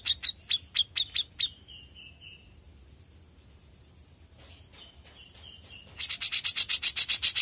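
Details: Young grey-cheeked bulbul singing actively: a quick series of harsh chips, a soft wavering whistle, a quiet stretch, then a dense, loud rasping chatter at the end.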